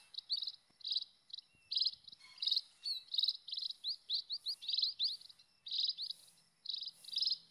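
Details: Wild scaly-breasted munia calling: short buzzy, rattling notes in quick bursts, mixed with thin rising whistled slurs, repeated almost without pause over a quiet background.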